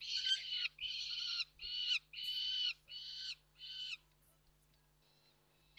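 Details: Recorded 29 June 2024 at Reda Koksik, three peregrine falcons give six loud, harsh, buzzy calls in an uneven row, each roughly half a second long, followed by near silence and a low hum.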